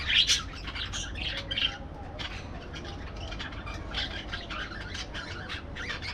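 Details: Harsh squawks from parakeets kept in an aviary, a loud burst at the very start, then a continuous busy run of short grating notes and chirps over a low background hum.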